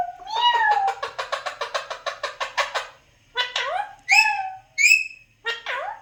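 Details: Alexandrine parakeet (Psittacula eupatria) mimicking: a quick run of about a dozen harsh, nasal notes, then several drawn-out, rising-and-falling cat-like 'meow' calls. The same bird also repeats 'meow' and 'hello'.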